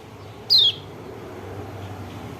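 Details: White-eye (kecial kuning, Lombok) call used as a lure to stir a reluctant bird into singing: one short, bright whistled note sliding downward, over faint low background hum.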